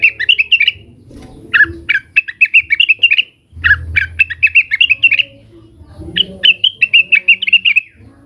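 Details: Cucak wilis, a leafbird, agitatedly calling rivals in repeated bursts of chattering, warbled notes, each phrase about a second long separated by brief pauses.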